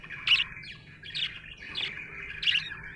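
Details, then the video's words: A happy budgie chirps in a warbling stream, with sharp accented squeaks at the start and near the end and softer chattering notes between them, over a faint low hum. "Happy budgie chirping sound"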